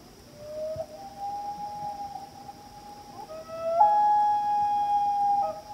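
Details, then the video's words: A pair of loons call to each other across Washington Pond in Maine at night. Long, smooth, mournful wails slide up and hold steady. Near the end a second voice joins louder, with a rising break into a higher held note. A faint steady high hum runs underneath. "Relaxing Night Calls of Loons Under Starry Skies of Maine"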